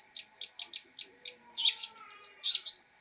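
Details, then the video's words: Long-tailed shrike chirping: a run of short, evenly spaced chirps, then denser scratchy, warbled phrases at a high pitch. "MASTER BIRD CHIRPING THE LONG TAILED SHRIKE FULL 30 MINUTES FIGHTER"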